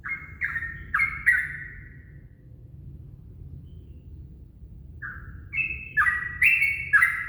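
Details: Yellow-vented bulbul singing at dawn as a lure: a short burst of gurgled notes, a pause of nearly three seconds with only low hum, then a fresh bubbling phrase.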